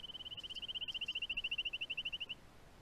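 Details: In November, during the breeding season, a Rufous Songlark gives a fast, even trill of about thirty high, ticking notes, roughly thirteen a second. The trill stays steady in pitch for over two seconds, then stops.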